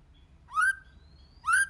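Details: White-rumped shama singing in many voices to stimulate other shamas: two rich, rising whistled notes about a second apart, with a thin high tone drawn out between them.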